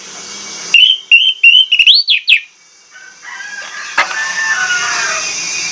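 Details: An orange-headed thrush serving as a lure gives a fast run of loud, clear whistles with sharp upward sweeps. Faint, softer warbled notes and background hiss follow.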